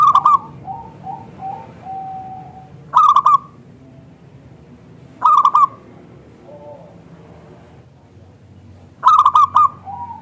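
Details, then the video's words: Lure call of a local zebra dove, thick crystal voice meant to prompt other zebra doves to reply: loud stuttered cooing phrases recur every few seconds, with quieter drawn-out coos and faint low rumble between them. "Perkutut Lokal Gacor SUARA Kristal TEBAL Jitu AHLINYA UNTUK pancingan perkutut NYAUT"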